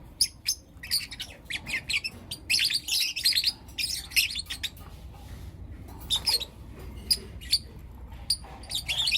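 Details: Morning chirping from four young lutino lovebirds: scattered sharp high notes and clustered bursts of busy, scratchy chatter, with quiet gaps between groups.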